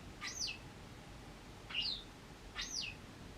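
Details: Injured wild White Wagtail with a leg injury, reappearing after nine months and watched over rather than taken in while recovering; three sharp, high chirped calls spaced about a second apart, each a quick rising-then-falling note.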